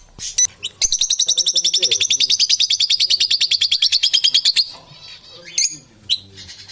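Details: Lovebirds crunching and chattering: after two sharp squeaks, a long, steady, machine-gun run of shrill, buzzy high notes lasts nearly four seconds, then breaks into scattered single chirps.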